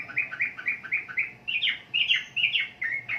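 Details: Lively singing from a sooty-headed bulbul in the Indonesian archipelago: about six evenly spaced chirps, then a burst of warbling, slurred notes rising and falling.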